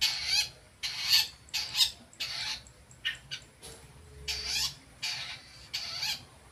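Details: Long-tailed shrike practising sounds, giving loud, grating, noisy notes about every half second to second in uneven series, each harsh burst separated by brief silence.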